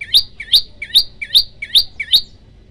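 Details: Prenjak lumut singing a fast tembakan series for a masteran: six clipped chirps, each dipping then sweeping sharply upward to a bright peak, spaced under half a second apart.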